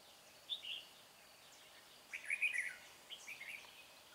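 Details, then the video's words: Red-whiskered bulbul with a bell-like voice, recorded during trapping as a decoy sings to lure a rival. Three short, faint bursts of warbled chirping notes come at about half a second, two and a half seconds and three and a half seconds, over a steady hiss. "Bẫy chào mào Bổi giọng chuông"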